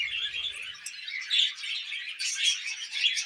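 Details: Tamed pet budgies feeding on millet keep up a bright, busy stream of squeaky chirps and warbled notes, louder bursts recurring about once a second, with no other clear sounds.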